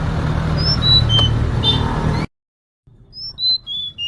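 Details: A female Sunda robin's call, meant to draw a male and excite him into song: thin, high, clear whistled notes, some sliding slightly downward, given in quick sequence, broken by a brief silent cut, with low rumbling background noise.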